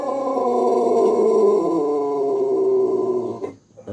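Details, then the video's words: Pelung chicken giving a long crow, prized as a special luxurious voice: a sustained harmonic tone near steady pitch held for about three and a half seconds, then fading out with a faint trailing sound. "Suara ayam pelung kokok panjang/kebat"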